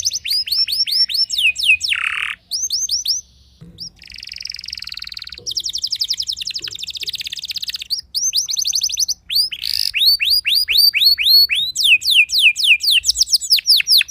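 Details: Canary song that provokes rival canaries, with rapid repeated sweeping notes, buzzy rattling stretches and harsh bursts, switching phrases every few seconds at about four notes per second.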